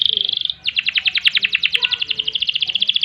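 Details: Canary delivering a long ngerol and ngerek song: a fast even trill, a brief gap, then a rapid rattle of repeated notes, about ten per second, running without pause.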